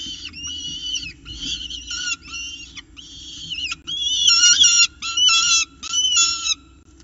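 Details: Young peregrine falcons in an Orange nest box fighting over prey at breakfast, 9:36 am, 29 October 2018, with an adult stepping in to feed them. Rapid, harsh squealing bursts mix with whistled notes, growing louder and coarser toward the end.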